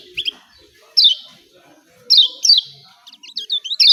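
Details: Yellow white-eye from Lombok giving its excited 'ciak ciak' call: a few sharp, high chirps sweeping downward, separated by short quiet gaps, with a burst of quick notes at the end.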